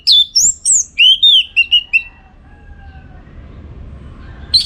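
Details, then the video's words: Orange-headed thrush song used to train contest birds: a string of loud whistled notes sweeping down and levelling, ending in a run of shorter repeated whistles, then quiet with soft low rumble. "Masteran ANIS MERAH Gacor"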